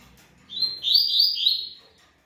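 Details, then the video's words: A yellow-bellied seedeater from Ribeirão Preto, Brazil, sings a single loud puro malte phrase: a sweet opening note, then a run of warbled, buzzy slurred notes that fades off after about a second and a half. "COLEIRO BAIANO PURO MALTE"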